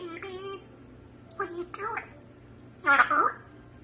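An African grey parrot talks in three short, word-like bursts with a fairly high, human-sounding voice, set against a faint indoor hum.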